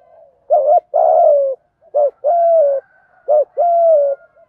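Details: Spotted dove in the 'thổ' voice style, used as a call to stimulate wild doves: three two-part phrases roughly every one and a half seconds, a short wobbly note then a sustained falling coo.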